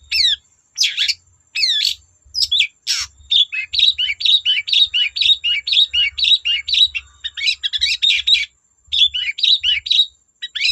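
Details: Lively long-tailed shrike song played to coax other shrikes into singing along: fast run of scratchy, squeaky and whistled notes strung into a near-continuous babbling chatter after a few separate harsh bursts at the start.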